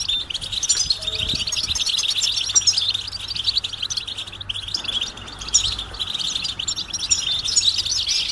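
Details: Mating and readiness calls from many European goldfinches, used to draw males out of silence into song; continuous crowded high twittering and sharp chips, brief dip midway, faint low hum behind.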